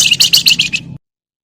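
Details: Javan myna giving a 'crecetan' chatter, used as a lure so other birds sing more: six harsh, buzzy bursts in quick succession, fading over one second, then silence, with a low steady hum beneath.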